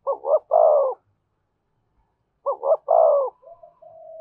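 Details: A spotted dove gives two evenly spaced phrases in the 'giọng thổ thúc và kèm' style, each two clipped rising notes and a full, low, sustained coo, with a soft trailing hum after the second.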